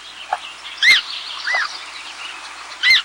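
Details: An adult American Coot calling to its chick gives three short, clucking "buck" notes about a second apart, each sharply rising then falling, over a soft steady background hiss.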